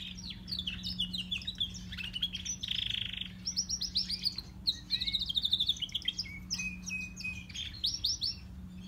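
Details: Singing canaries, one grey and one crested: dense high twitters, a brief harsh buzzy note, then fast rolling trills and chirps over a soft low hum.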